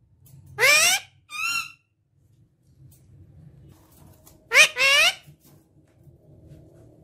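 An Indian ringneck parakeet utters short, high, harmonic speech-like phrases in two bursts a few seconds apart, with a faint low room hum between.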